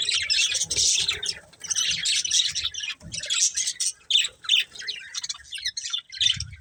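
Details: Pair of budgies kept for breeding, twittering in almost constant scratchy warbles and chirps, with a few soft thumps in the background.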